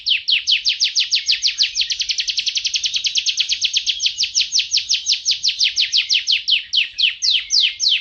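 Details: Canary song used as a long master recording for training: a loud, steady series of rapid high trills, over thirty fast repeated notes, slowing slightly toward the end, with no other sounds.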